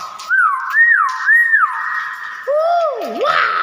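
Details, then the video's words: Common hill myna in full voice: three looping whistles in quick succession, rising and falling, then a lower double-toned note that swoops sharply down and back up, ending in a brief noisy burst. "BEO GACOR BAGUS SUARA ASLI"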